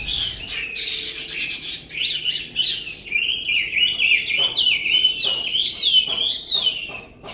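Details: Chinese hwamei in Vietnam, 2018, singing while shuffling its feet: a loud, continuous run of varied whistled phrases with rapid buzzy trills early on, then sweeping rising and falling notes and sharp chirps, with no pauses.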